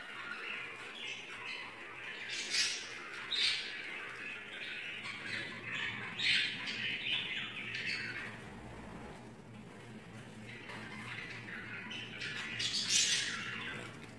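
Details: Budgerigars fighting over a mouse give harsh, scratchy squawks and chattering calls in irregular bursts.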